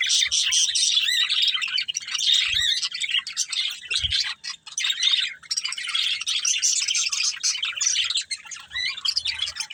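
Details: Budgerigar breeding pair in long, continuous chattering song, fast twittering chirps and raspy trills running almost without a break, with a few soft low knocks.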